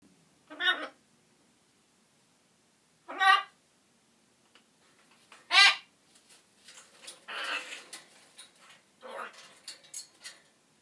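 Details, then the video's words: A pet macaw gives three loud, harsh, croaky utterances a few seconds apart, then a run of softer, speech-like chatter in a small indoor room. "the talking macaw"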